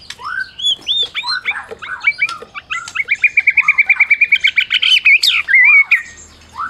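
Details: White-rumped shama of the Medan type used to rouse mute shamas: varied whistles give way to a fast steady series of sharp repeated notes, ending in looping whistled slurs.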